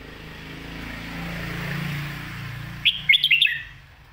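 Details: Red-whiskered bulbul giving one brisk 'Phat Kuay Tiew' master song phrase of five or six crisp, up-and-down whistles. It comes after a few seconds of broad rushing noise.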